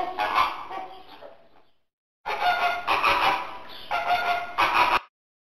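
Flamingo giving loud, harsh, goose-like honks: one long call that fades away, then a short pause and a run of grating honks.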